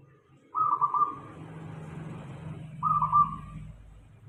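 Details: Local zebra dove song used as a lure for other doves: two short trilled coo phrases over a constant broad hiss and low rumble.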